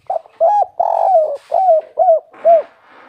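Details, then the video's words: Spotted dove song in the 'kuk 3' style, described as a local, natural, soft-toned voice in full song; low mellow coos, about six rounded notes in three seconds, several bending slightly downward, over faint background hiss. "Suara burung derkuku kuk 3 ful gacor - suara empuk"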